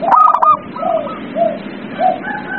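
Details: Zebra dove song for stimulating a reluctant dove: one burst of quick stuttered notes, then several soft, lower drawn-out coos, with a low hum behind.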